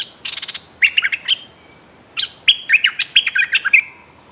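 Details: Decoy bulbul kept to lure wild birds, calling threateningly without stopping, 24/06/2023; a fast buzzy rattle opens, then bright, scratchy chattering notes repeat in quick clusters with a brief gap between them.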